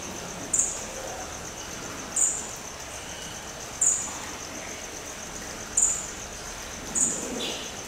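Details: Red fody at Dvůr Králové Zoo, Czech Republic, giving thin, very high, short chips, five spaced one to two seconds apart, over a steady hiss.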